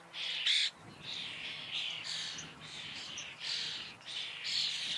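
A common starling sings a continuous run of harsh, buzzy chatter and rasping notes, broken by short squeaks and whistles, with no other sounds.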